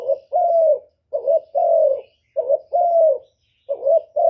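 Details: Calling spotted dove giving hollow, low-pitched coos in pairs, a short rising note then a drawn-out level one, repeated about once a second with short silent gaps.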